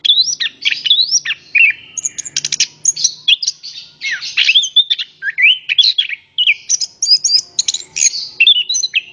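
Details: Lure song of an orange-headed thrush for prompting other birds: a continuous stream of rising and falling whistled phrases, rapid buzzy rattles and bright chirps, almost without pause.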